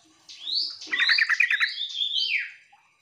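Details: Sooty-headed bulbul calling to companions, a lure meant to make quiet birds answer. Bright upslurred whistles run into a quick bubbly chatter, followed by further rising and falling whistled notes across about two and a half seconds.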